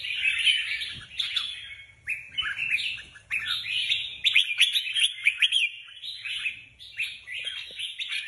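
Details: Competition red-whiskered bulbuls prepared for a contest deliver a long run of lively warbled phrases, bright slurred notes broken by short gaps, with a few louder emphatic bursts near the middle.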